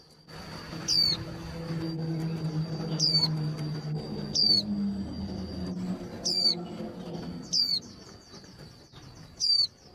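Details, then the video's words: Female white-eye call used to fire up male birds for singing contests: six descending whistled notes spaced one to two seconds apart, brief twitters near the end, set against a low droning hum. "Tiếng khuyên mái kích trống nhanh líu"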